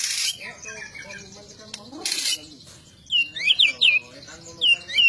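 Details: White-rumped shama song: after noisy rustling bursts and a low murmur, bright whistled slurred notes ring out in a rapid run of four or five phrases.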